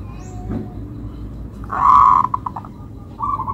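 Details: Local zebra dove with a melodious song: a strong trilled coo followed by several evenly spaced clipped notes and a softer closing phrase, set against quiet low noise.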